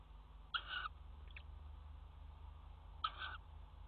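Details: Nest-box tawny owl at a water tower, recorded 5 February 2018 around mating: two harsh, buzzy screeching calls two and a half seconds apart, a faint click between, and low hum throughout.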